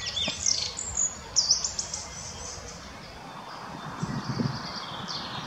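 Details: Fieldfare adult with young in a botanical garden in Munich give thin, high squeaky notes in short scattered bursts, with a steady soft background hiss.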